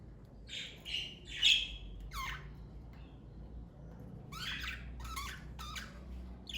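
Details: Pet parakeets from a family group give a few scattered high chirps and short squawks, with quiet gaps and a low steady hum underneath.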